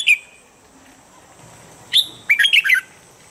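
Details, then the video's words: Red-whiskered bulbul in standard morning training voice: a single sharp note, a long gap, then a rapid rolling phrase of four or five liquid, up-and-down whistled notes. "Luyện giọng chào mào âm chuẩn mỗi sáng giúp chim nhanh căng lửa"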